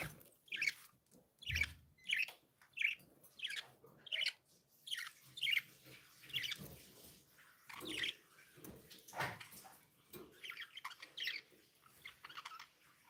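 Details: Happy, playful pet budgies giving a steady run of bright, squeaky chirps and short warbles, repeated roughly every half second to second over thirteen seconds.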